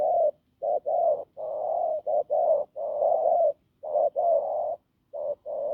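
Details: Wild field spotted dove giving a hoarse, strong cooing run: low, husky coos in short and long blocks, some paired, with irregular gaps and a brief pause near the fifth second. No other sounds.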